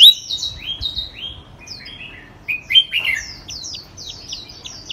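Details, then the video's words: Nonstop singing from a third-place contest songbird: bright downslurred whistles and quick high chirps in an unbroken, varied stream. "Burung Gacor Tanpa Henti Berkicau"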